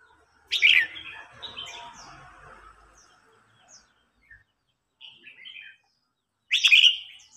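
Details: Red-whiskered bulbul in a singing contest, a seasoned wild-caught bird challenging and provoking a young wild-caught bird; loud, sharp, bright notes open and close, with short warbled phrases and soft chirps between, and a ringing echo after each burst.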